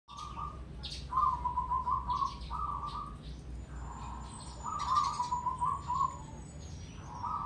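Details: Zebra dove (perkutut), a crossbred bird with a triple 'ketek' rhythm, giving bursts of soft, rapid, rolling coos at a steady low pitch, phrases of one to two seconds with short pauses; faint high chirps and hum behind.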